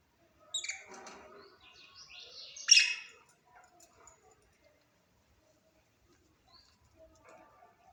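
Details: Budgerigar warbling in a run of about three seconds of rapid, chattering notes that ends on a loud, harsh squawk, followed by faint scattered ticks in a quiet room.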